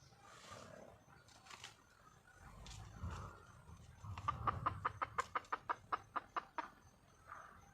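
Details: Red junglefowl hen in the wild giving a mating call to draw a male: after scattered faint clucks and low rumbling noise, a quick burst of about twelve sharp clucks follows in close succession.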